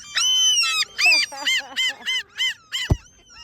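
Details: Great black-backed gulls giving complaining calls: a fast run of high, harsh, downslurred notes, about eight in quick succession, ending with a sharp knock.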